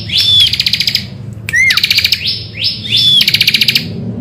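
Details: Bar-winged prinia morning song, a lure to set other birds singing: bright rapid pulsed trills alternate with short buzzy sweeps and clear high whistles, plus one downward slurred note, in quick repeated phrases.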